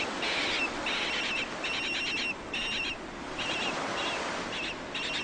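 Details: Penguins where males incubate the eggs of future offspring in the cold; short pulsed, buzzy harmonic bursts come in quick series with brief gaps, over steady surf-like background noise.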